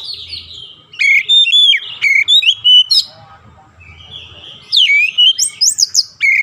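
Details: Oriental magpie-robin (kacer) in daily training for a long rolling song: loud clear whistled phrases with sharp rising and falling notes, a quieter gap midway, then a fresh burst of varied whistles.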